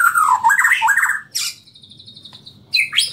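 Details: Bornean white-rumped shama, a caged contest bird from Samarinda; rich, varied warbled phrases of rapid slurred notes, a long steady high whistle, then a sudden bright sweeping phrase.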